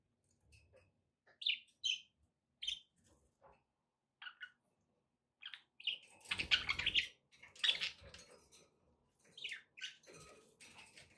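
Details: Pet budgerigars giving sparse short chirps at first, then a louder stretch of scratchy chatter with a thumping noise, followed by scattered tweets.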